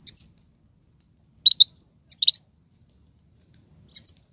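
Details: European goldfinch of Algerian type singing serfati and galoubi phrases: short clusters of two to four sharp, high chirps spaced by pauses of about a second or more.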